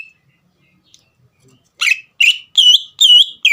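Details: Near silence, then five loud whistled notes from a green leafbird in the last two seconds, some level and ringing, others sliding downward. The song serves to provoke a young bird into singing.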